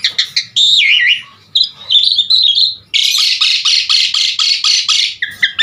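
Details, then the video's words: Lure recording of a singing Asian pied starling, full isian style: twisting whistles and a drawn-out rising note, then a loud rapid train of about a dozen buzzy, rasping notes. "Suara Jalak Suren GACOR Full Isian Buat Pancingan Segala Jenis Burung Jalak Agar Cepat GACOR Isian"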